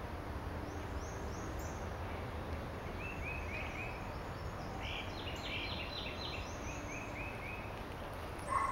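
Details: Distant Black-and-white warbler singing high in a tall tree in Macon, Georgia, on 22 April 2013: faint, very high, thin two-note phrases repeated rapidly, with low rumble, insect-like hiss and Northern Cardinal, Tufted Titmouse, Carolina Wren, Great Crested Flycatcher.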